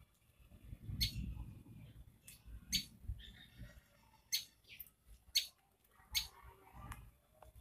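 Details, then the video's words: A tailorbird gives sharp, high, piercing chirps, about eight loud notes spaced irregularly over several seconds, over a low background rumble. "Tailor bird's sound"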